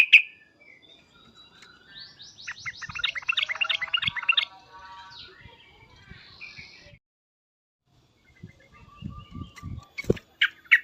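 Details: Sooty-headed bulbul in agitated calling, a dense two-second burst of quick, high chattering notes, followed by scattered clicks, knocks and a few later chirps amid low handling noise.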